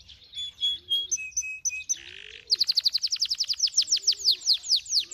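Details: Song of a finch × canary hybrid: varied whistled notes and a short buzzy passage, then a fast series of sharp descending notes repeated in rapid rhythm.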